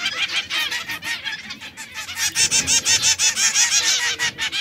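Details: Caged canaries, one red, one yellow and one brown, with fast rolling trills that shift into a higher, steadily pulsing trill.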